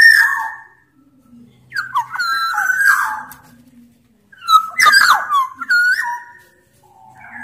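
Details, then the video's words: Oriole from Sumbawa, large-bodied, singing as a lure recording to prompt lazy orioles to call: loud fluty whistled phrases with slurred, warbling notes in two bursts separated by short silences. "Burung kepodang sumbawa gacor"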